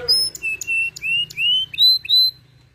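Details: Melodious 'gacor' canary song, a short sparse phrase of clear, high, steady whistled notes, about eight in under three seconds, some slightly rising, in a quiet background.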